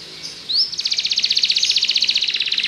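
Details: [3, 'Singing Belgian canary: a single bright rising whistle, then a fast, rhythmic trill of high repeated notes that continues steadily to the end.']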